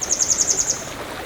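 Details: A grey wagtail on the Río Tállara at the village of Xei, Noia, gives a quick run of about seven thin, very high, sharp notes in under a second, over a faint hiss.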